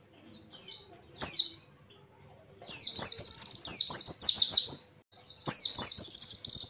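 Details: Caged white-eye singing a training song for other birds: bursts of high, sweet, rapid descending whistles and trills, delivered in fast repeated phrases with short pauses between them.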